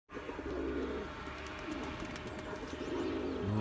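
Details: Turkish tumbler pigeon, a domestic bird kept in a loft, chasing its mate to breed; low murmuring coos around mid-low pitch swell and fade twice over a few seconds, with faint rustling in the background.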